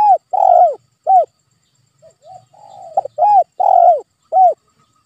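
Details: Spotted dove calls played as a lure to prompt a quiet pet dove to call: strong, mellow arched coos in quick groups, with a softer, longer humming coo in the middle.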